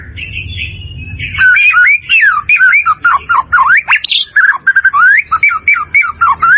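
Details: White-rumped shama song for training caged birds: a long, rapid stream of loud varied whistles, slurs and sharp notes after a quiet start with low rumble.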